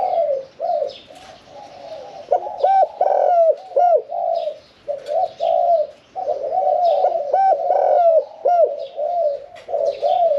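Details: Caged spotted dove, one year four months in the cage, cooing "khan yon 1 kuk" with a medium voice: rhythmic loud hoots in two bursts with hooked falling notes, softer cooing doves around it.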